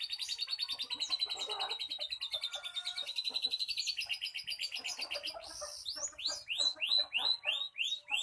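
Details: Canary singing loudly and insistently, described as fierce, with a long run of fast trills repeated several times per second, then a series of loud, rising, whistled notes repeated at a steady pace.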